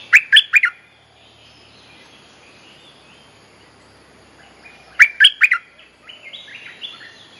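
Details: Mate-calling bulbul lure for teaching young birds: two short clusters of three quick, bright chirps about five seconds apart, followed by softer warbling notes.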